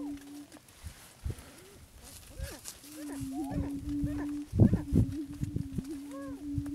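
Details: Attwater's prairie chicken from Texas, an endangered subspecies of the greater prairie chicken. A low droning tone runs almost throughout, with scattered short hooked calls, several rising whoops and a sharp burst of thumps toward the end.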